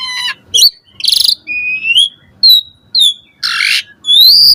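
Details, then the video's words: Morning song of an Asian pied starling, recorded to prompt and teach caged birds. Varied phrases mix clear rising whistles with two harsh, rasping bursts and a final long upswept whistle. "Pancingan Jalak Suren Gacor Pagi Hari Ampuh Buat Masteran Burung Jalak Agar Gacor Full Isian Mewah"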